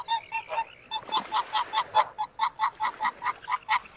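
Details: Greater white-fronted geese (Anser albifrons) during mating give a rapid string of high, nasal yelping honks, about four per second, with fainter overlapping calls from other geese behind.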